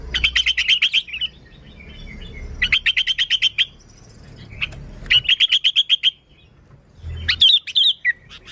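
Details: Sooty-headed bulbul singing energetically, a pure recording meant to attract and excite other bulbuls: rapid runs of repeated sharp chirps, each burst lasting about a second, with a louder twittering phrase near the end and faint low rumble.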